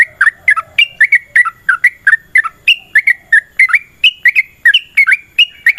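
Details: Yellow-vented bulbul in long 'ropel' fighting song, used as a lure so other bulbuls answer: a steady stream of liquid gurgling notes, alternately rising and dipping, about three per second.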